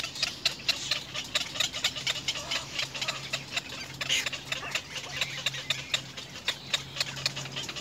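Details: Little egret nestlings with their mother produce a sustained, noisy chattering of hoarse clicks and rasps in fast bursts, with a faint low hum beneath.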